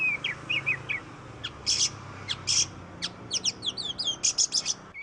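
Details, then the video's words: Oriental magpie-robin song used as a lure for reluctant cage birds: short whistled notes, harsh noisy bursts, then a fast run of sharp descending chips and rasps; faint low background hum. "Suara burung kacer Kacer ngoceh Kacer gacor"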